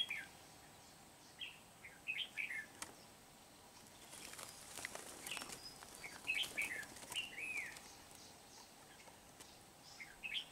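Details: Red-whiskered bulbul decoy at a bird trap in Kim Bôi, Hòa Bình, Vietnam, 8 September 2019; scattered short warbled phrases over a stretch of rustling, flapping noise midway.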